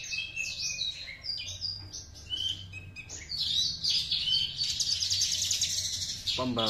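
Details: Two-month-old Horsfield's bush lark from Java imitating the master song it learned from another bush lark; varied high whistles and chirps at first, then a sustained dense buzzy twitter, ending with a brief low human sound.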